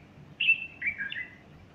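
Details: A single short phrase from a bulbul singing on the morning of 30 August 2015 near a female fluffing her feathers: a bright high whistle dropping into two lower, slurred fluty notes.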